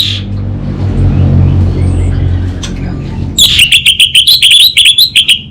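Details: After nearly three and a half seconds of low hum, an orange-headed thrush breaks into a fast, rhythmic rattle of clipped notes over a steady high buzz, in the 'kabel konslet' style.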